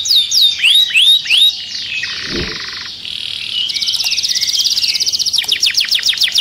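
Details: Canary song meant to stimulate other birds for mating: loud rising swept whistles, then a buzzy held trill, a fast rapid rattle and more quick sweeping notes, with a brief low thump midway.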